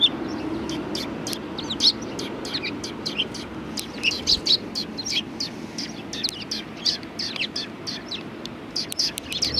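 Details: Several sparrows arriving for food at a shrine, 6 March 2020: frequent quick chirps and tweets, sometimes overlapping, over a constant low rumble.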